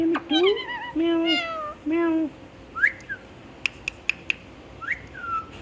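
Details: Pet parrot known for talking and repeating words like "Mitthu" gives three drawn-out, nasal, meow-like syllables rich in overtones, then a few soft whistled slurs among clicking sounds.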